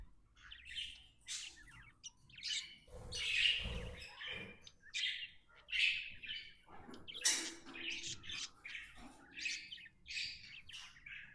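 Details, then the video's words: Happy pet budgie chirping steadily, a lively stream of short whistled and buzzy notes with small gaps between phrases. "Happy budgie chirping sounds"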